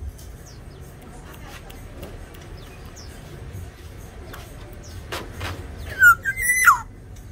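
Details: Tame, actively singing black-naped oriole from Sumbawa gives one short, rich whistled phrase near the end, sliding down, leaping up and dropping again, after a quiet stretch with faint ticks and low background hum.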